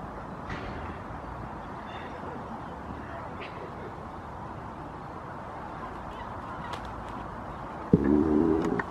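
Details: Common moorhen at Barrs Court, 28 February 2021: one short, harsh, croaking call bursts out near the end, loud and rough, after several seconds of steady low background hum with faint distant sounds.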